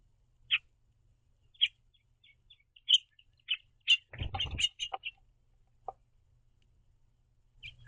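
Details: House finches, a pair feeding on seed at a backyard platform feeder and communicating, give short sharp chirps every second or so, with a burst of clattering and rustling halfway through and fainter notes after.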